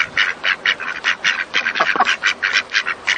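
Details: Duck quacking in a rapid run of harsh, nasal quacks, several per second, steady throughout with no other sounds.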